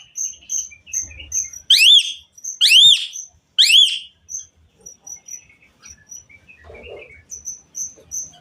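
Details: Asian pied myna song used to prompt other mynas: three loud arched whistles close together, framed by a long run of thin, evenly spaced high peeps and a few soft low rustles.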